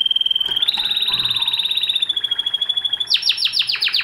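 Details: Spanish Timbrado canary holding a long, fast-pulsing metallic trill that steps up slightly in pitch, then switching to a quick series of sharp, descending chipped notes.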